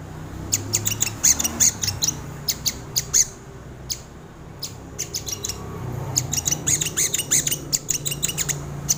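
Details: Crimson sunbird recorded as a lure and tutor for training birds: bursts of very high, sharp ticking and chipping notes in rapid clusters, a short pause mid-way, over low background hum.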